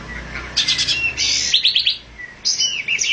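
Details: Olive-winged bulbul giving bursts of quick, high chattering notes in short runs, with pauses between groups and a quiet background.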